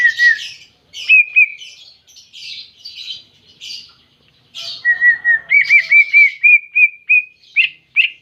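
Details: Greater green leafbird singing as if seeking a rival: buzzy, scratchy bursts at first, then a run of clear whistled notes around a steady pitch, each note slurred and repeated about once a second.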